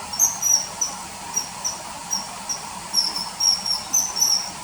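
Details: Kingfisher calls inserted into riverside footage of it hovering and taking small fish, early September 2020; a rapid, uneven series of shrill, short whistled notes, sometimes doubled, with background hiss.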